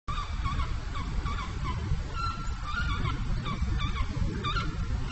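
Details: Pallas's fish eagle (Haliaeetus leucoryphus), call.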